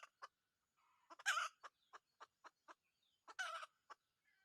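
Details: Wild red junglefowl rooster, caught with a decoy: a run of short, evenly spaced clucks broken by two louder harsh rasping calls, fairly quiet overall.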